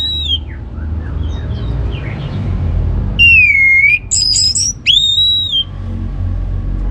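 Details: Orange-headed thrush song used as a lure to stir other birds into singing: after quiet low hum, loud clear whistled phrases arrive, one long slurred note falling then a rising-falling whistle with short high trills between.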